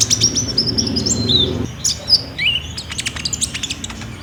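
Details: Olive-backed sunbird in full song, used to prompt other birds to sing, recorded on a Samsung J5 phone: a run of high sweet whistles, then a sharp down-slurred note and quick thin chips, over faint low noise.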